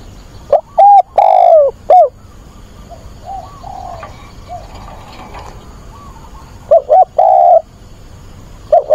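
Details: Decoy spotted dove cooing to attract a mate, 24 August weekend. Two loud phrases of short and long coos, with softer, more distant cooing between them and a low steady background hum.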